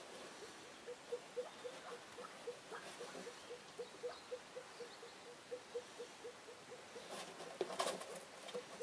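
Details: Female Elliot's pheasant, newly arrived, giving a long series of soft low clucking notes repeated about four times per second, with a brief rustling noise near the end.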